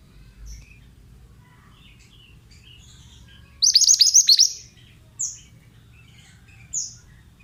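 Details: Male mountain-type pied bushchat delivering one rapid, tumbling phrase of high downswept notes. It is followed by two separate short high chirps, against a faint low rumble.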